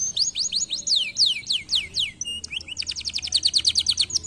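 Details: Canary song with fast downward-swept whistles repeated about three per second, a brief pause with a plain note, then a very quick, even, high trill.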